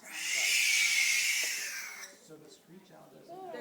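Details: A barn owl at a wildlife rehab and release centre gives one loud, harsh, hissing screech lasting about two seconds, described as saying hello loudly. A person then talks quietly.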